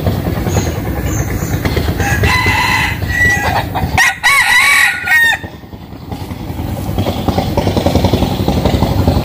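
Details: Domestic cock crowing at dawn in a Vietnamese countryside home in the western region: a rising, wavering crow of about three seconds, then quiet clucking, with an engine droning throughout.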